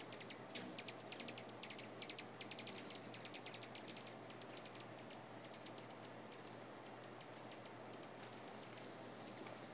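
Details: Female Rufous Hummingbird (Selasphorus rufus) perched on a branch in the United States gives rapid, sharp, high ticking chips in quick bursts for about six seconds, then a few thin, higher notes, over a soft hiss.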